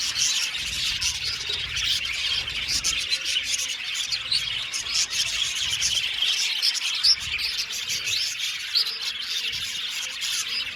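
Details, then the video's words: A budgie colony chatters in an aviary, with busy overlapping chirps and warbling notes and a few clearer whistled squeaks rising above the steady twitter. "Parakeet sound | budgies singing and chirping sounds"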